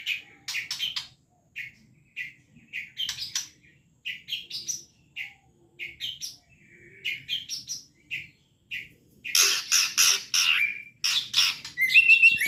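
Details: White-rumped shama giving trotol song: short scratchy chips spaced about every half second, building into loud, dense rapid bursts of harsh repeated notes near the end.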